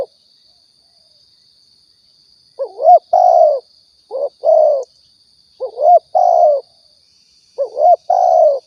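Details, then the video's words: Spotted dove call used as a lure for bird trapping and hunting in Riau, Indonesia: after silence, three or four mellow double coos, each a bent rising note then a drawn-out lower croo, with a faint constant high hum. "suara tekukur balam"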